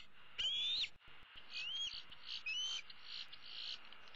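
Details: Young female bald eagle sitting in a tree with her right leg hanging over the side, calling for food from her parents on 15 April 2016: three high, upslurred whistled squeals, the first loudest.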